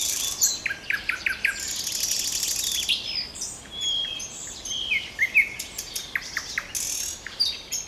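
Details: Common nightingale in full song: a rapid series of short notes, a grating buzzy passage, then sweet whistles and ticking repeats, set against lively background birdsong.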